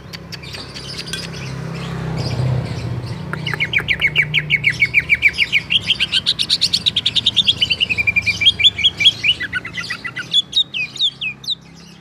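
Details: Greater green leafbird (Chloropsis sonnerati), song.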